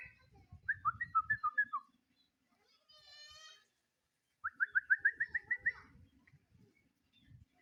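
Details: A sooty-headed bulbul in full voice, calling a rival: a jumbled run of quick warbled notes, a short buzzy harmonic sound, then a fast rising series of about ten clear, repeated slurred whistles.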